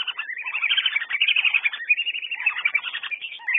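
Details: Steady chatter of high, reedy whistles from whistling ducks, notes tumbling over one another almost without a break, some sliding down in pitch.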